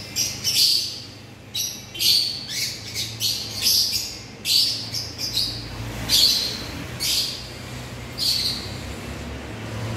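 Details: African lovebirds calling with sharp, piercing chirps repeated in quick irregular bursts, about one cluster per second, over a faint low background rumble.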